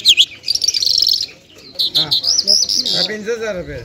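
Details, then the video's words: A lark, known locally as lunda or Afghani jal, Mashadi type, from Parachinar, gives a dense burst of high buzzy trilling, pauses, then continues with stuttering whistled phrases while low human murmuring is heard underneath. "Top Lunda Larks Mashadi sk lunda jal full Sining JalBirds/jal talking full Sining Afghani jal"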